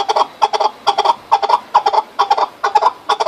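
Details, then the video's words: Chukar partridge call: clucking notes grouped in twos and threes, each cluster repeated about twice a second in a steady chuck-chuck-ar rhythm, clear and close. "Keklik sesi"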